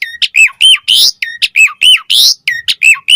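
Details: Asian pied starling song used to prompt other starlings to reply and sing: a busy run of whistled, falling and hooked notes alternating with harsh raspy bursts, delivered almost without pause.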